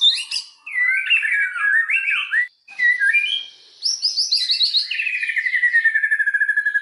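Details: White-rumped shama singing as a lure for other shamas: varied warbled and slurred whistles with brief gaps, then a buzzy phrase and a long, fast, steady trill at the end.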